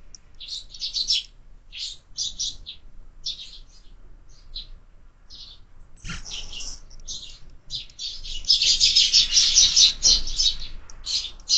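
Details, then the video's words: Sparrows at a window-mounted feeder on a lively morning give short, bright chirps in loose bursts, building after eight seconds into dense overlapping chatter from several birds. "Воробьи в кормушке - утро всегда бойкое"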